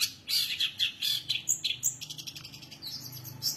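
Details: Energetic singing from a long-tailed shrike known for rich fill-in phrases, a dense tumble of high chattering notes mixed with thin piercing whistles and scratchy bursts.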